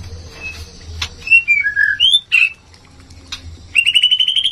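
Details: Oriental magpie-robin mating call for raising breeding urge: scattered slurred whistles and a couple of harsh clicks, then a rapid, evenly repeated rising trill of short notes closing the passage.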